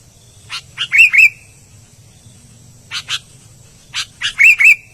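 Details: Repeated phrases from an albino sooty-headed bulbul. Each opens with sharp chips and ends in two warbling whistles, with a two- to three-second gap between phrases.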